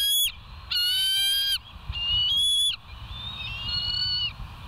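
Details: Bald eagles on a live nest cam at West End, July 27, 2023, early morning: high thin whistled call series, two strong bursts then softer trailing notes, over steady low background rumble.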